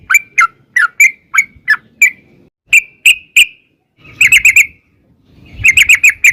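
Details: Yellow-vented bulbul lure song in 'ropel' style: separate slurred whistles spaced irregularly, then two quick bursts of rapid bubbling notes, with low rumbling noise underneath.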